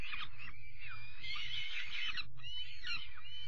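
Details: Peregrine falcon youngsters given dinner, 5 May 2021: short raspy screams, then a longer harsh wailing burst and a final rising call, over low rumbling noise.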